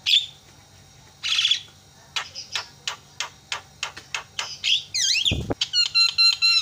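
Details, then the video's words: Javan myna sounds meant to provoke other mynas into calling: a brief buzzy burst, then a run of sharp clicking notes speeding up, ending in looping whistles and a clear pure repeated note. "JALAK KEBO SUARANYA BIKIN JALAK PADA TERIAK"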